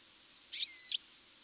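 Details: Single European goldfinch call from mid-August, a short bright slurred chirp with a whistled upper tone, about half a second long, in a quiet setting.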